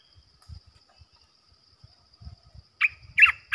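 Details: Bulbul decoy for trapping, olive-winged, heard after a stretch of low knocks and shuffling: three loud, sharp chirped notes close together at the end.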